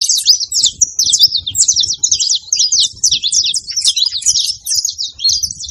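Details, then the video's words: A flock of saffron finches chattering together on a farm: dense, overlapping high chirps and short buzzy twittering phrases run nonstop, with faint low rustling underneath. "muito canário da terra fazendo barulho"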